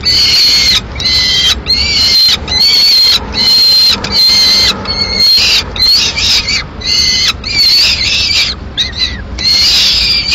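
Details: Begging peregrine falcon chick, the only young, in Madrid on 22 May 2016 while the female feeds on a swift; a persistent series of high, strained wails, roughly a dozen, with quick gaps between.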